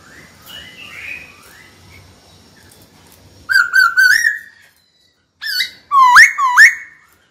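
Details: Caged white-cheeked laughingthrush singing to call a rival to fight: faint slurred whistles early, then loud rich whistled phrases with rising, wavering notes in two bursts after a short pause.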